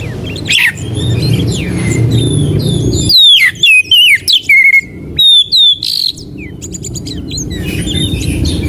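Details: Oriental magpie-robin (kacer) as bait and master song for silent or molting birds: faint notes over low noise, then a series of loud whistled slurs and trills in short bursts, fading back to murmuring background.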